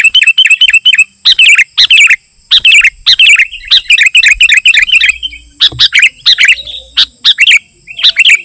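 Sooty-headed bulbul giving loud, bubbly whistled phrases in rapid bursts, each about half a second, repeated almost without pause.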